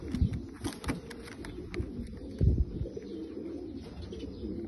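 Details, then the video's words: Bulgarian pigeons, abssi type. Throaty coos come in quick, irregular bursts, with heavy low thumps and flutters early on and a steady low hum behind. "حمام بلغاري عبسي"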